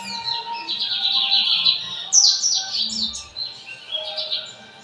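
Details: Lined seedeater, torneiro song style, São Luís, singing all day until the night lamp is switched off. A steady high buzzing phrase gives way to a burst of quick descending slurred whistles, then softer twitters.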